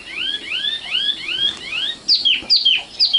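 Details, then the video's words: Common nightingale song, locally sikatan londo: a run of five slurred rising whistles, then sharp descending high notes, loud and clean with little background. "kicau burung sikatan londo"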